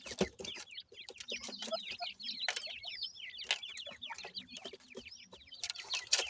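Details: Grey francolin chicks, called Pakistani teetar, exploring their living space: crowded, twittering high cheeps sliding downward, many overlapping, interspersed with loud clicks and scuffling noises.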